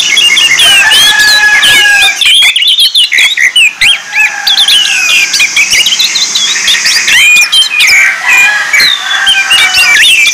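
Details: Orange-headed thrush song used as a lure recording to train birds: dense, overlapping high whistled phrases with quick slurred rising and falling notes and sharp chirps, sounding like several birds singing at once.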